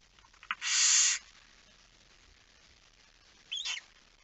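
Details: Barn owl at its nest at night during a feeding, 10 September 2019 at 22:45: one loud, rasping hiss, followed later by a brief, thin squeaky note.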